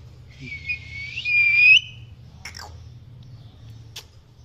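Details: Male Indian ringneck parakeet calling: a loud, harsh, rising chirp lasting almost two seconds, then a quick falling squeak and a single sharp click, with a low steady hum beneath.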